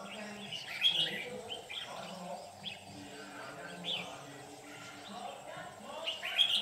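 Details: White-cheeked red-whiskered bulbul used in trapping, delivering a harsh "ché"-style fighting song; bright slurred whistled notes at the start, mid-clip and end, separated by quieter gaps, steady background hum throughout.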